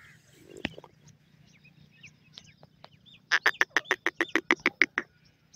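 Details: A francolin (Dakhni teetar) gives a rapid run of about a dozen loud, harsh, clipped notes, roughly seven per second, after a few faint scratchy sounds and a single sharp click.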